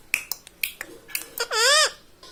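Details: Pet rose-ringed parakeet trained to talk: a few soft clicks and taps, then one loud, drawn-out, arching word-like call with a rich buzzy harmonic stack, about a third of a second long.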